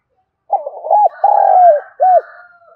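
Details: One kích bổi phrase from a spotted dove, used to provoke wild birds: stuttering start, a rounded note, a long coo that drops at the end, a short arched note, with a faint thin tone behind.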